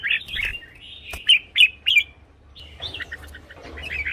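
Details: Caged red-whiskered bulbul, voice used as a decoy or to stir other birds: a run of slurred whistled notes and bright chirps, moderately loud, over a noticeable low rumble and hiss.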